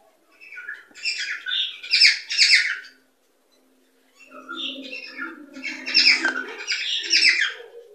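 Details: Cockatiel chatter meant to encourage breeding: two long runs of loud, rasping squawks mixed with whistles, with about a second of silence between them and faint low noise underneath.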